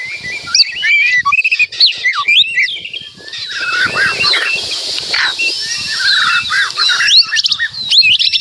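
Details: Energetic White-rumped shama song full of varied phrases, mixing looping whistles and sharp upswept notes over a steady high hiss of background noise.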